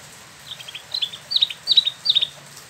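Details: Caged Spot-throated babbler in Bandung, Indonesia, an import from China and Vietnam: four or five short high chirpy phrases, each a quick cluster of notes, getting louder, over quiet background.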